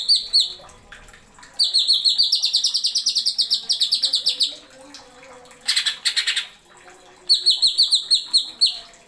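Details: Cucak ijo, the greater green leafbird, delivering sharp 'nembak isian' song: long runs of fast, rattling high trills and repeated chirps, broken by brief gaps and a short scratchy burst in the middle.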